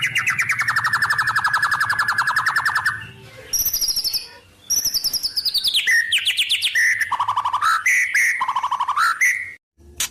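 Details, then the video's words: A White-rumped shama sings mimicked wild-bird phrases. It opens with a long, fast, buzzy rattle for three seconds, then gives scattered high whistles and quick chattering notes with short pauses. "Suara Murai Batu Full Isian Burung Alam"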